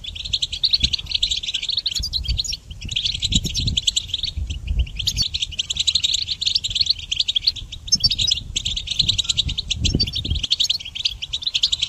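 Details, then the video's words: Goldfinch song for training songbirds: a long, nearly unbroken stream of fast, bright twittering and jingling notes, high and tinkling, with brief pauses near 2.5 and 8 seconds over a low background rumble. "Harmonious Connection Motivation in Goldfinch Song Training"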